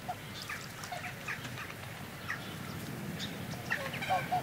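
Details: A pair of upland (Magellan) geese, Chloephaga picta leucoptera, close up, give short, soft nasal display calls with a thin whistle near the end, over chirping house sparrows and distant jackdaws.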